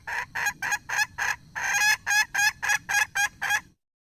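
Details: Red junglefowl hen calling with about fourteen quick, nasal clucks in fairly steady rhythm, one slightly longer louder note in the middle, ending abruptly.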